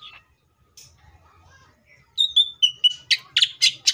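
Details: Greater green leafbird in tembakan style: a few faint notes, then short whistles stepping downward, building into loud, regular, harsh chips about four per second.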